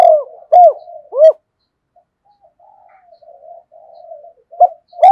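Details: Decoy spotted dove quickly starting to coo: three loud arched hoots, a stretch of faint low murmuring, then two more hooted notes at the end.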